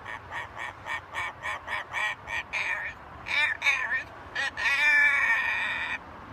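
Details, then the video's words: Pet talking macaw on a home balcony producing a rapid series of about a dozen harsh, even pulses, roughly four per second, then louder raspy speech-like syllables and a sustained grating note. "Our talking Macaw"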